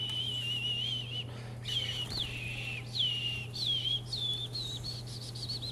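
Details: Green-winged saltator in a cage, hopping between perches for vigor training, gives a long run of wavering whistled phrases repeated about every second over a steady electrical hum.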